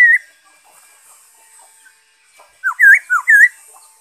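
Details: Black-throated laughingthrush recorded 5 May 2021 gives one short whistle, a pause, then a quick run of four loud looping whistled notes, each rising and falling.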